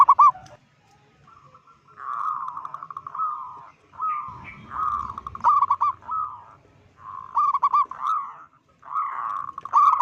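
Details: Local zebra dove with a big, loud voice, calling in a way said to make other zebra doves panic: bursts of rolling, trilled coos, each phrase stuttering into quick repeated notes, separated by brief pauses, with faint low rumble beneath.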